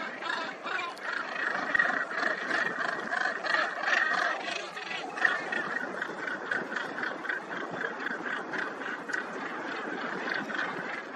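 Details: Black-legged kittiwake colony with chicks on Helgoland, June 2021: many nasal, wailing calls overlap in a constant chorus, with a steady background roar.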